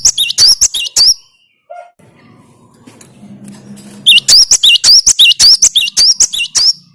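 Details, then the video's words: Cinereous tit (gelatik batu) singing as a lure to stir other birds. Sharp, high whistled two-note phrases repeat rapidly in a burst, then a quiet gap with faint low hum, then a second longer run of the same ringing notes. "Makin Edan gelatik batumu setelah dengan suara ini"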